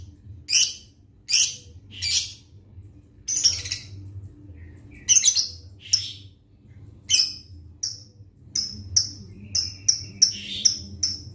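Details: Caged lovebird set out to sunbathe, giving sharp high chirps spaced about a second apart, quickening into a faster series near the end, over a low steady background hum.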